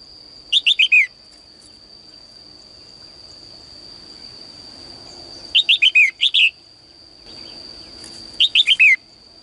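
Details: Caged female bird's morning song meant to draw more singing from males: three bursts of rapid downslurred whistled notes, spaced several seconds apart, with a steady high-pitched tone throughout.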